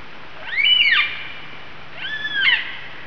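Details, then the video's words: Lyrebird in the bush at Mason Falls, Kinglake National Park, Victoria, Australia, imitating other birds such as currawong, bellbird, galah, magpie and kookaburra: two loud, clear whistled phrases, each arching up then sliding down, about a second apart. "Lyrebird of Australia. Amazing bird calls. Mimicking calls of other birds including the kookaburra."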